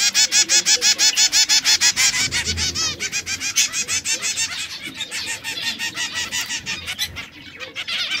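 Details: Three canaries of different colours, red, yellow and brown, delivering a long rapid trill of evenly repeated notes, about three per second, that slows and softens toward the end.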